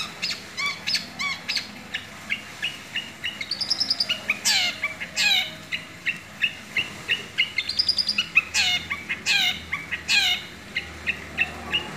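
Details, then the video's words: Long-tailed shrike (cendet) singing long, with mimicked tengkek buto phrases, gives a busy run of sharp chirps, buzzy rasps and bright whistled notes, several each second. "BURUNG CENDET ISIAN TENGKEK BUTO PANJANG - PANJANG DAN NGERRII"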